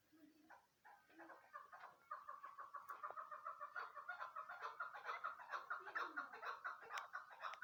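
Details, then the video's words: Female chukar partridge (keklik) calling: a fast series of clucking chuk notes, repeated a little over twice a second, starting hesitantly and then building into a steady, rhythmic run. "keklik sesi"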